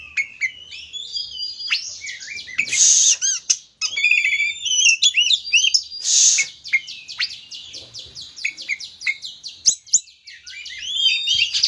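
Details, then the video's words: Oriental magpie-robin, a prized singing bird, in loud, varied song used to provoke other birds into singing: rapid whistled phrases, buzzy trills and sharp chirps high in pitch, with two brief harsh bursts near three and six seconds. "Kacer gamuk ampuh pancingan burung Kacer gacor ini bisa mendobrak emosi Kacer anda"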